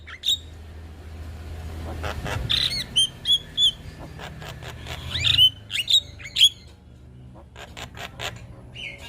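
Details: Young Javan myna singing actively with head-bobbing, used as a tutor recording for other mynas to imitate: rasping clicks mixed with short clear whistled notes, several sharp notes in quick succession mid-clip, over a low steady hum.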